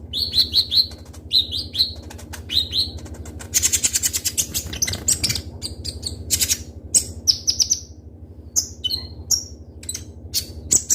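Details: Lively captive Van Hasselt's sunbird (kolibri ninja, konin), a full-repertoire bird kept to prompt other birds, giving sharp, crystal-clear, high chirps in quick runs, then a dense burst of rapid trilled notes, with scattered sharp tweets after and a low steady hum behind.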